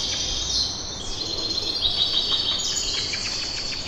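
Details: Morning chorus of birds in Kipseli, Athens, Greece, recorded on a handheld recorder, with many high overlapping chirps, a quick run of repeated twittering notes midway, all over constant background hiss.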